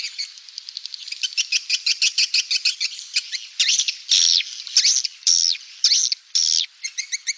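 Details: Swiftlet lure call played to attract birds to a nesting house: dense high twittering, then a series of harsh, buzzy chirps repeated roughly twice a second, all in a high, thin register.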